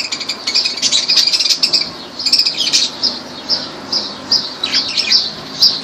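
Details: Dense, lively chattering of lovebirds in Laylan, Kirkuk: many high squeaky chirps tumbling over each other almost without pause.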